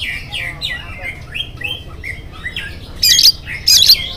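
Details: Oriental magpie-robin singing in the morning to prompt other birds: a run of soft slurred whistles and chirps, followed by two loud, harsh, buzzy bursts near the end.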